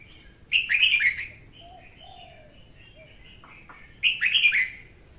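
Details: A female red-whiskered bulbul sings at morning, a recording used to train birds and lure them into traps; two lively chattering whistled phrases, the first about a second long, the second after a three-second gap, with soft low whistles between.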